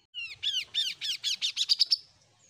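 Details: Oriental magpie-robin, an untrained bird beginning to sing, delivers a quick series of roughly ten curved, slurred notes, each shorter and higher than the last, accelerating to a clipped finish.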